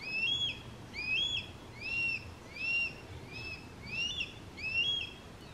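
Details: A juvenile hawk crying for its parents gives high, thin, slurred whistled cries, seven in a row, a bit under one per second, over a low background rumble.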